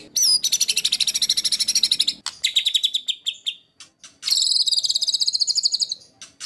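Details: Master recording of a white-rumped shama in the rough 'tembakan kasar' style for training contest birds: long rapid buzzy rattling trills held at high pitch, one opening whistle, a brief break, then another extended harsh churring burst.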